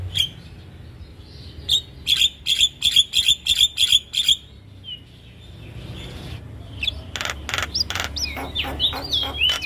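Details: Javan myna song used for training cage birds: a quick series of about eight sharp clicking chips, then a pause, then harsh rasping bursts with rising and falling whistled notes.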